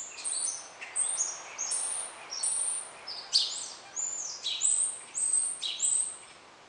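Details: Rose-ringed parakeet feeding on blossoms, 28 March 2016; harsh, high screeching calls repeated in quick succession, about ten bursts, over light background noise.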